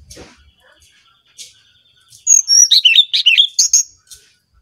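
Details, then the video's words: Brown-chested jungle flycatcher from Bali, singing energetically in a lure-style recording: after faint scattered notes, a burst of quick clear whistled notes, descending then jumping and wavering, lasting about two seconds. "Burung Sikatan Rimba Dada Coklat Bali Gacor Nyuling Untuk Pancingan SRDC"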